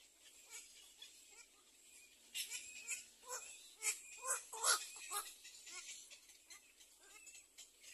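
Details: Little egret young in the second nest, waiting to be fed, utter rapid harsh rasping calls, quiet at first, then a burst of louder scratchy squawks in the middle before fading again.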